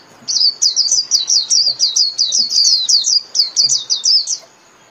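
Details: Caged-bird training song of a Japanese white-eye, long a Vietnamese favourite for daily playback: a rapid stream of sharp, high chirping notes rising and falling, about four seconds unbroken, then quiet.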